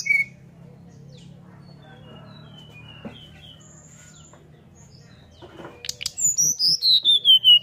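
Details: Long quiet stretch with faint distant whistles, then a Brown-chested jungle flycatcher bursts into its 'nyuling' flute song, given to provoke others to sing: a descending high whistle and a rapid string of repeated notes.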